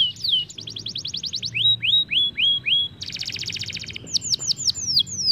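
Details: An Isabel canary in full song gives a fast, high rolling song of quick trills and repeated sweeping whistles, switching phrases every second or so, with no other sounds; it is played to stimulate young canaries to roll.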